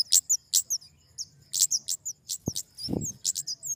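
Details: ['Flowerpecker calling with rapid, very high, sharp chirps and short upswept notes in quick succession, over a low rumble with a brief thud midway.']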